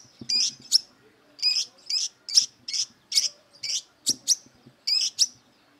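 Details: Aggressive brown-throated sunbird seeking a rival to fight, giving loud, high, sharp chip notes, about one or two per second, some doubled, each with a brief buzzy edge; quiet low rustling underneath.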